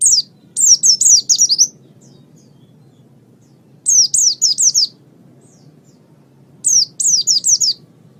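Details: Pet oriental white-eye (pleci) singing for masteran use: three short bursts of five or six high, sweeping, down-slurred whistles, spaced a few seconds apart, over a low steady hum.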